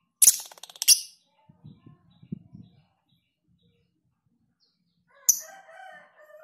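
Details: Lovebird in a tutoring recording of long ngekek singing with tight gaps; a short, rapid, shrill pulsed chatter, then quiet low rumbling noises, and later a sharp chirp with softer, lower warbling notes.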